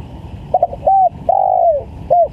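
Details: A single phrase from a spotted dove calling vigorously, used to lure wild doves. Rapid stammered notes lead into a short coo, then a long smooth coo dropping slightly at the end, and a last brief coo, against faint low-pitched background noise.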